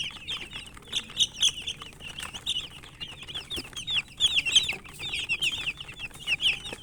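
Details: Many chicken chicks peeping as they eat, high thin chirps tumbling over one another without pause, with soft scratching and tapping sounds and a little wing flutter mixed in.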